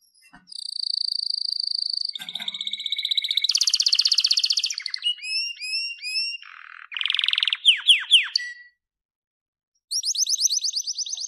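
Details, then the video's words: Blorok white-rumped shama, a captive-bred bird with a genetic plumage variation, in clear training song: long steady high whistles, buzzy harsh stretches, rapid stuttered notes and descending sweeps in varied phrases separated by brief silences. "Masteran Murai Batu Blorok Suara Jernih"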